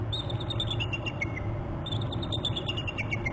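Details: Bald eagle at its Hornby Island nest territory giving alert calls on January 26: a rapid stuttering chatter of high piping chirps in two runs, each slurring downward, over constant low background rumble.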